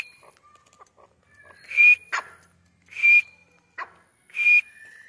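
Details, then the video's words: Grey francolin in training, giving three loud, harsh, ringing calls about one and a quarter seconds apart, with sharp clicks between them in an otherwise quiet setting. "Training Of Gray francolin"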